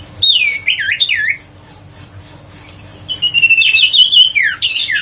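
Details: Huyt co bird, used to lure other birds and rouse quiet ones into song: a quick run of warbled, looping whistles, a pause, then a sustained high whistle breaking into slurred twittering notes.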